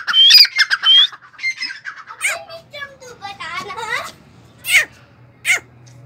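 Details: A fully tame partridge (teetar) calling freely gives loud, harsh, squawking calls in short bursts, with quieter chattering notes and faint human voices in between.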